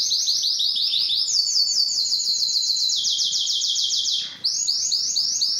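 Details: Singing Belgian canary, to excite hens for breeding: rapid repeated notes in rolling series that step down in pitch, a short gap near the end, then the rolls resume.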